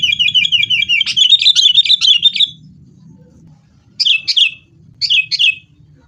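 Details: Sooty-headed bulbul, agitated and fighting, for luring caged bulbuls into song: a long rapid run of bright repeated chattering notes, then a pause and two short pairs of sharp notes, over a faint low hum.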